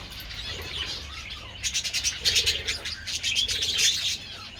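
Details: Several pet budgerigars enjoying treats in the sun on 27 February, giving busy high warbling chatter with bursts of sharp clicks and chirps in the second half.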